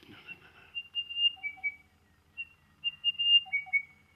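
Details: Crested Bellbird west of Brisbane, in July, gives two phrases of clear, ringing, bell-like notes at a few pitches, the second louder, a call that starts soft and builds; a man speaks briefly at the start.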